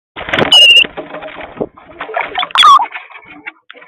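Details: Cowbirds from a huge flock, 50 or more crowding each garden feeder, give a thin, steady high whistle, then a sharp whistle sliding steeply downward, over busy gurgling flock chatter.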